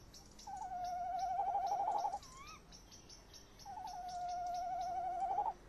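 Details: Nighttime nest box recording of a male tawny owl with the female nearby, 30 May 2015: two steady tremulous trills, each under two seconds, separated by a brief rising squeal; faint steady ticking in the background.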